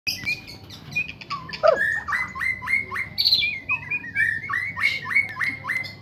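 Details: Young male white-rumped shama singing against other birds: a rapid series of short whistled notes, repeated strokes sweeping down to a steady pitch, with chattering notes mixed in.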